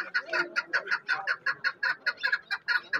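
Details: Caged chukar partridges at the Zarafshon bird market in Dushanbe, Tajikistan, on 10 February 2024; a quick run of short, clucking chuk notes, roughly five to six per second, steady and throaty, with faint market noise behind.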